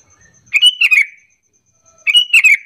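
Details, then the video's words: Lure call of a sooty-headed bulbul, meant to get other bulbuls calling back: two brisk chattering phrases of several sharp notes, bright and slightly descending, a little over a second apart. "Pancingan Kutilang biar bunyi gacor sahut sahutan"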